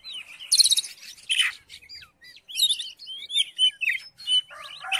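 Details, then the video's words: Oriental magpie-robin singing to provoke another magpie-robin: a harsh rasping burst, then varied high whistles, wavering slurs and scratchy notes in short, uneven phrases. "COBA DIPANCING DENGAN KICAUAN KACER INI"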